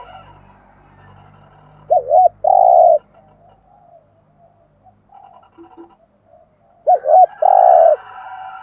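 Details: Cooing of a decoy spotted dove used to excite wild doves: two phrases some five seconds apart. Each is a brief wavy note and then a long, even coo, with faint softer sounds in between.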